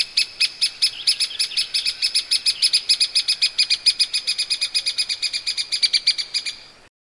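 Grey-capped pygmy woodpecker giving a fast, even rattle of high, squeaky notes, about four per second, running for over six seconds.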